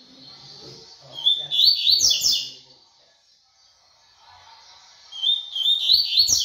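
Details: Two quick bursts of tui tui song from a double-collared seedeater, each a rapid run of high, sharp whistled notes with clicking accents, separated by a pause of about three seconds with faint low background sounds.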